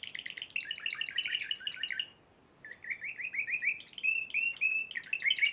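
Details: Champion Spanish Timbrado canary at the Piala Raja contest, March 2014, sings a fast rolling trill for two seconds, pauses briefly, then resumes with rising, gurgling repeated notes and a loud closing flourish.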